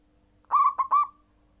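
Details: Zebra dove giving full nggayer-style cooing meant to make rival birds call back: a single quick phrase of three stuttered, mellow coo notes, the last drawn out, over a low steady hum.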